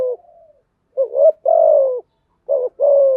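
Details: Spotted dove singing, a recording meant to train newly caught doves to coo: low mellow phrases, a paired short note leading into a long sliding coo, repeated twice.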